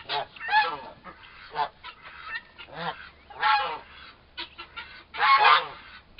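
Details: Pair of four-month-old turkey toms in a prolonged fight: harsh broadband squawks and rasping cries, irregular and overlapping, with short gaps of quieter chatter.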